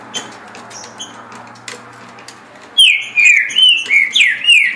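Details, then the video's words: After a quiet, hum-filled start, a caged green-winged saltator bursts into a run of loud, falling whistled notes, five or six in quick succession, singing about 17 songs a minute. "Trinca Ferro Senhor dos Anéis Passando 17 Cantos por Minuto"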